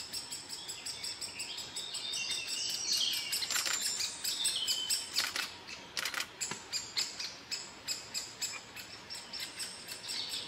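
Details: Great spotted woodpecker young being fed by a parent beg with a constant high, wheezy chatter in quick bursts, nearly two a second, swelling louder at times. Faint outdoor background.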